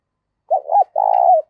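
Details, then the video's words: Loud spotted dove coo in the 'giọng thổ' style. A short wavering double note is followed by an extended, steady, rough-textured coo. A brief faint higher sound overlaps midway through, but otherwise the background is quiet. "tiếng cu gáy giọng to + rõ + ít tạp âm giọng thổ pha"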